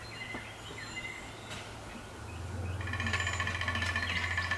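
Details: Male downy woodpecker drumming on a 150-year-old black walnut in Appalachia: a fast, even roll of taps lasting nearly two seconds, after thin whistled notes from other birds over a low steady hum.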